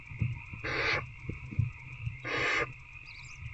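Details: Barn owl in nest box at night, 19 February 2024 around 9 pm, adult feeding an older owlet and taking a rat; two harsh broadband hissing bursts, each about a third of a second, over steady electrical hum and faint clicks.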